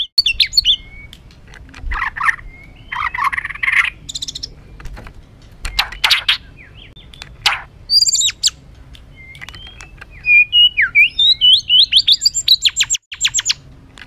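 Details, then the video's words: Emotional white-rumped shama song meant to rile up other birds: a varied medley of buzzy bursts, sharp clicks and whistled phrases, ending in a fast run of rhythmic loud notes. "Materan kasar MURAI BATU penuh emosi...pacingan burung agar cepat emosi"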